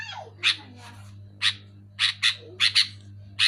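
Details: A sooty-headed bulbul, or kutilang, opens with a soft falling slur, then gives loud, scratchy chirps singly and in pairs at irregular gaps, with a low background hum.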